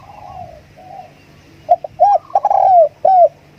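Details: A decoy spotted dove starts with soft, distant-sounding coos, then bursts into loud clipped coos, a long downward-sliding note and a final arched coo.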